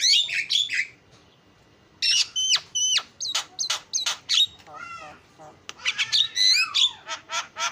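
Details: Lure song of a starling: opening harsh buzzes, a short pause, then crisp whistled notes and clicks, a rattling series and a burst of squeaky mimicry.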